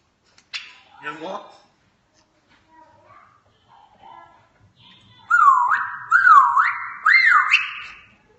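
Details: Indoor African grey parrot mimicking sounds: a short harsh burst, scattered soft murmurs, then three loud wavering whistled phrases, each dipping and rising, repeated about once a second.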